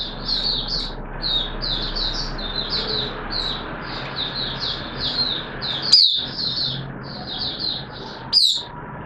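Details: Captive oriental white-eye singing in wet weather: steady, fairly soft series of short high twittering phrases repeated over several seconds, broken by two sharp clicks against constant background noise.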